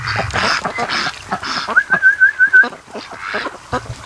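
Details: Ducks lazing at a lake near a creek mouth on an afternoon; repeated harsh, nasal quacks from several birds, interrupted midway by a thin, wavering whistled tone, then more scattered quacks.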